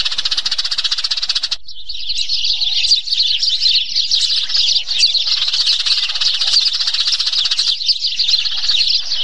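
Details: Eurasian tree sparrows fighting: an opening burst of rapid chirping gives way to a long, quavering chatter of high twittering notes that rise and fall in quick succession.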